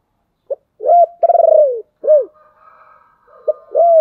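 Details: Caged decoy spotted dove giving a lure song meant to stir wild doves: a short note, then loud deep coos including a long stuttering, rolled note and a falling coo, closing with a fresh loud coo.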